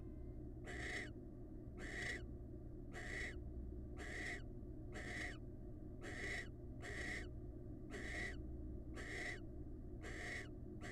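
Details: A wild barn owl pair, calling while bonding: a long run of about ten harsh, hissing rasps, repeated evenly nearly once a second, over steady background hum.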